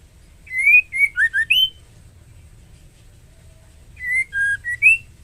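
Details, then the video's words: In breeding condition, a female white-rumped shama calls the male: rich whistled notes in quick groups of four or five, some swooping downward, two phrases spaced about three seconds apart over low hum. "Suara MURAI BETINA Memanggil Jantan"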